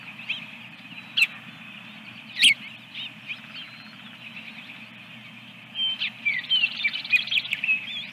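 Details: Osprey at its nest with eggs, Dunrovin Ranch, 24 April 2022: after scattered faint chirps, a rapid run of high, sharp, ringing calls builds over the last two seconds. Many small birds chirp continually behind it.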